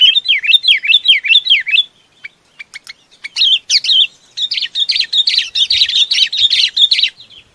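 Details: A Chinese babax calls to its flock: a run of looping, slurred chirps, a few sharp clicks, then a long rapid chatter of bright scratchy notes; a faint thump or two below.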